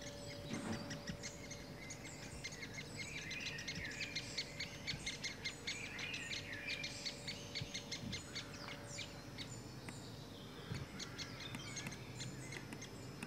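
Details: Great spotted woodpecker, adult with young: a fast, dense series of short, harsh, ticking chatter calls, repeated steadily for about ten seconds, then thinning out near the end, over a steady low hum.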